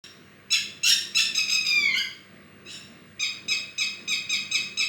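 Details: Bird giving harsh, buzzy notes with stacked overtones: a drawn-out descending rasp near the start, then a pause, then a run of short harsh notes repeated about three times per second.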